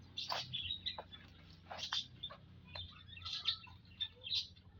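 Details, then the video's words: A group of munias in an aviary, recorded on 19 April 2025 during daily monitoring: short high chirps and sharp ticking notes in loose clusters from several birds, with a low steady hum behind. "Kumpulan Burung - Burung Emprit"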